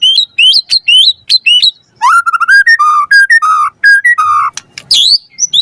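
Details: A white-rumped shama singing vigorously on a lure track to prompt a reply; four rising whistled upslurs, then a steady run of clear mid-pitched whistles and finally bright high sweeping notes.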